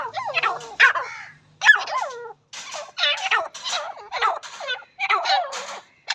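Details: Partridge calling: a series of harsh, harmonic, wavering notes in short bursts with brief pauses between them, fairly loud against a quiet background.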